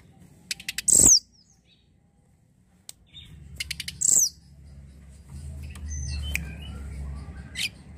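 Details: Snowy-browed flycatcher, used as a lure to prompt the bird to sing: two very high, thin song phrases about three seconds apart, each a few quick ticks leading into a loud descending whistle, over low rumble and faint chirps.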